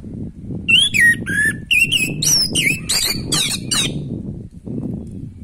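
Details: Orange-headed thrush in full natural song, used to prompt a bird lacking breeding drive: a varied sequence of bright whistles, chirps and sliding notes, some high and squeaky, lasting around three seconds over a low background hum.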